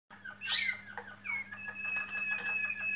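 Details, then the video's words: A Waterslager (Malinois) canary sings indoors: a rapid run of short chirps, then a long, steady high whistle over fast ticking notes, with a low electrical hum. "Chant canari malinois oiseaux, cante de canario malinois pájaros , singing waterslager canary birds"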